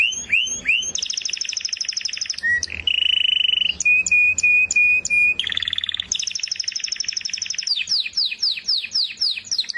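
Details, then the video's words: Canary singing a fast, varied song: rapid rolling trills at different pitches, a steady buzzy tour, evenly repeated high clicks, then quick rising sweeps, with a faint low hum underneath. "زقزقه العصافير طيور الكنار كناري حسون جميل"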